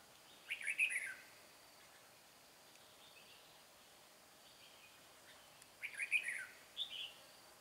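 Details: {'caption': 'Trap decoy red-whiskered bulbul singing to attract a wild rival: two matching lively phrases of rapid, liquid warbled notes about five seconds apart, each followed by a brief softer note, with quiet hiss in between.'}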